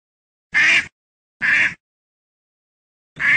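A duck gives three short, harsh, nasal quacks, each about a third of a second long, spaced roughly a second apart with silence between.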